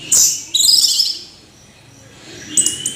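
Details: Orange-headed thrush singing: bursts of high, thin, scratchy notes, a pause of near silence, then a brief bright phrase returning at the end.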